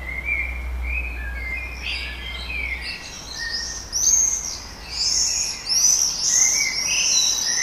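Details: Common swifts around a breeding colony in Heverlee, Leuven, Belgium, with banging and breeding birds active, 20 June 2018 at 22:30: thin shrill screams, a few faint at first, then a louder burst of repeated high screeching over steady background noise.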